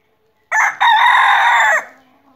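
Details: Rooster crowing: one loud, harsh, harmonic crow of about a second and a quarter, with a brief break just after it begins, holding steady before it drops off and fades into a quiet low tail.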